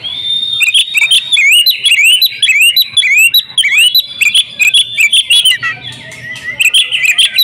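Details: Female oriental magpie-robin kept in a house, singing vigorously with mimicked phrases: repeated upslurred and downslurred whistles over a steady high ringing tone, then quick chips and a looser twittering close.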